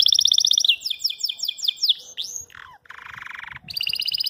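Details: Belgian canary singing at its phone image, which the owner suspects it takes for a rival or a female, so either attacking or courting: a fast, high song of rapid trills, rolling repeated phrases, a short dry buzz, and another quick trill.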